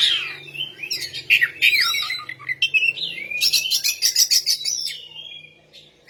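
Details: Oriental magpie-robin singing a long, varied phrase: flowing whistles and slurred notes giving way to a rapid, rattling series of sharp notes that fades out, with a faint low hum.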